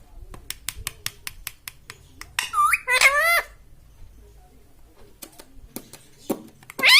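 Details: Indoor pet parrot mimicking people: a series of sharp tongue clicks, then a short run of two or three voiced, speech-like syllables with wavering harmonics, followed by quiet and a last squawky note.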